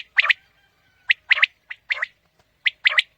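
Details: Quail call for luring birds on a morning hunt: fast clusters of sharp, high clipped notes in doubles and triples, with a faint steady tone underneath and otherwise silence.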